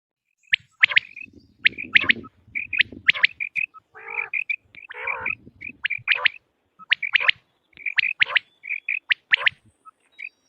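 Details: Quail calls from a recording used for quail hunting: rapid sharp chirps near the upper middle range in uneven bursts, mixed with a few harsher, broader rasping notes and a faint low rumble.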